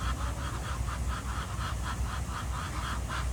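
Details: Morning quacking of ducks at Jardin aux Canards, Monaco: a fast, steady series of about ten short, harsh quacks in quick succession, with gentle water sounds and a constant low background hum.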